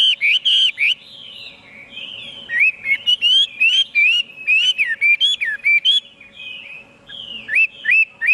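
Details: Chinese hwamei singing a long run of loud, clear whistled phrases, many slurring up and down, with brief pauses between bursts and a faint steady hum beneath.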